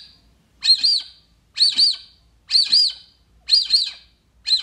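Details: Repeated paired squeaky whistles of a Brazilian teal, five double notes about a second apart, each slurring up and down, on a near-silent background. Used as playback to attract the bird.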